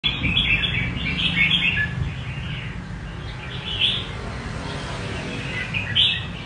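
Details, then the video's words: Red-whiskered bulbul singing in the 'rê cầu' song style: short bright warbled phrases, some rising and falling, in bursts every second or two over a steady low hum. "Nết Rê cầu đẹp và khuôn mặt dữ của chào mào"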